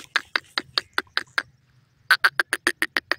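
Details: A grey francolin with her chicks in the forest gives a rapid series of harsh, clipped notes. Seven come at an even pace, then after a short pause about eight more follow slightly faster.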